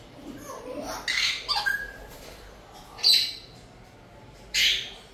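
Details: Cockatoo giving harsh, broadband squawks in short bursts, one after one second, a doubled burst near 1.5 seconds, then single loud screeches at three and four and a half seconds, with a brief clear whistled note between them.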